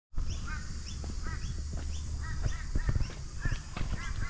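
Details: A kookaburra laughing at a passing walker in mid-afternoon Queensland bush gives a run of harsh, hooting chuckles, a few notes every half second or so, over heavy low rumbling and crunching footsteps.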